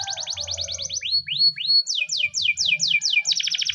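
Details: Morning training song of a Spanish timbrado canary: quick note series, a few slow upward-sweeping whistled slides, then rapid repeated downslurred notes and a dense trill, over low background hum.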